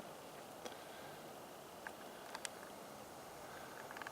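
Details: Quiet outdoor background hiss with a few faint, scattered clicks and ticks, and no animal voice.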